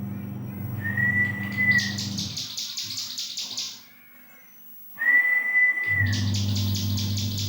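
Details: Young bar-winged prinia beginning to sing, kept as a tutor for magpie robins, kacer and green leafbirds: bursts of rapid buzzy high notes, a long steady whistled tone before each burst, and a constant low hum behind.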